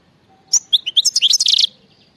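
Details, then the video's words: European goldfinch in khalawi style singing one quick phrase of sharp, bright, high twitters and liquid chirps, packed tightly for just over a second over a quiet background. "غناء خلوي"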